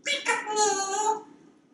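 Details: Male African Grey Parrot kept indoors in a Texas home, perched on a kitchen faucet and talking; one drawn-out tonal call lasting about a second, rich in harmonics and steady in pitch, over faint room hum.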